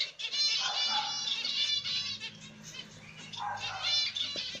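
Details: Nesting zebra finches, a grey light-back black-cheeked mutation male and a pied female, with chicks. Two bursts of rapid, buzzy, stacked chattering calls, separated by a quieter stretch, over a low hum.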